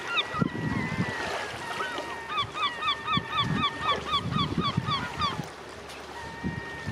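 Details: Gulls calling at Ustka: a quick series of sharp, rising-falling yelps about four per second, a longer drawn-out mewing note, low rumble and a person speaking afterward.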